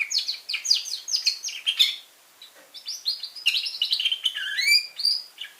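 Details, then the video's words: A young red factor canary sings fast, high twittering phrases of chirps, trills and rising whistles, with a brief pause midway. "Red Factor Canary Finch Younge Singing Bird"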